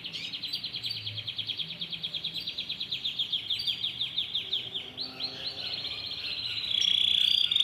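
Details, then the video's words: Belgian canary, yellow, giving a long run of even, rhythmic high trilled notes, closing with a thin, steady whistled trill. "Canário belga amarelo cantando muito"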